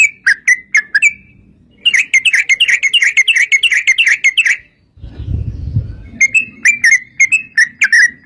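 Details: Sooty-headed bulbul lure recording to coax other bulbuls into song: spaced clear whistled notes, a rapid rolling trill of about three seconds, a burst of low rumble, then more spaced notes.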